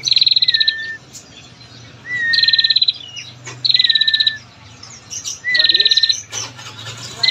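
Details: Female bar-winged prinia giving long calls to lure males: buzzy ticking trills, each led by a short whistled slur, repeated four to five times, with a few sharp clicks in between.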